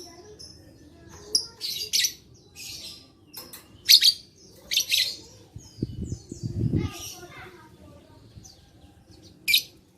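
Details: Lovebird recorded 11/4/21 to provoke other lovebirds to sing; irregular strings of high, shrill chirps and short screeches, with a brief low rumbling thud midway.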